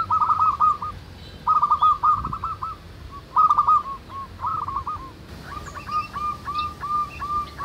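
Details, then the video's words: Zebra doves in the wild singing manggung, used to draw others to join in: bursts of fast rolling trilled notes, with a second caller's series of clipped notes later and faint higher bird chirps. "SUARA BURUNG PERKUTUT MANGGUNG RAMAI DI ALAM"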